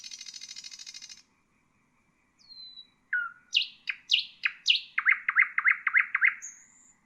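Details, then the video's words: Nightingale singing, a recording meant for teaching bulbuls and songbirds: a second-long buzzy rattle, silence, a falling thin whistle, loud swooping notes, then a run of about eight quick repeated notes. "تغريد طائر العندليب"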